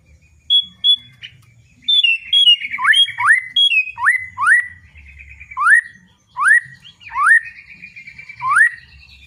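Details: White-rumped shama singing loudly in the ngeplong style: a few high whistles, then repeated loud downward-sweeping whistled notes swooping up at the end, given about once a second with pauses, over faint low rumble.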